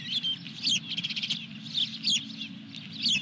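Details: Osprey at its Dunrovin Ranch nest holding a fish, recorded 23 June 2021; high thin whistled chirps come in short bursts roughly every half second to second, with constant low background hum underneath.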